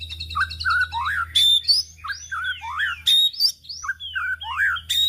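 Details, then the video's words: White-rumped shama singing as a lure for other birds, a lively mix of fast trills, looping whistled slurs and piercing high notes repeated in short bursts over a constant low hum. "pancingan murai batu"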